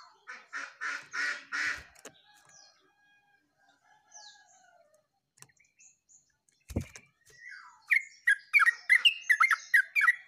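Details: Yellow-vented bulbul in full chattering song, dated 29/08/24. Opens with harsh, buzzy repeated notes and scattered high chips, a sharp knock midway, then a fast closing burst of bright, warbled chirps tumbling over each other.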